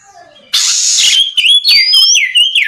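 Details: Oriental magpie-robin song meant to draw rival magpie-robins into singing back at night: a half-second harsh scratchy rasp followed by clear, gliding whistles that rise and dip.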